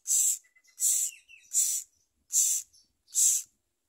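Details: Common myna nestlings begging while parents bring worms and locusts, five loud, harsh hissing rasps in quick succession, each about a third of a second, roughly every 0.7 seconds, with little background.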